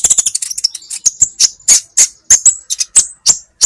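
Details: Kolibri ninja sunbird on a songbird training recording: an opening flurry of quick high ticks speeding along, then evenly spaced loud, sharp, high chip notes roughly three per second.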